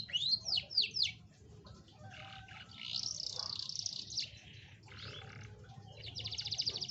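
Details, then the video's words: Song of a canary, used as a lure to get a reluctant canary singing: a few rapid swooping notes, then sustained rolling trills and buzzy passages, ending in a high, fast even rattle. "pancingan kenari malas bunyi"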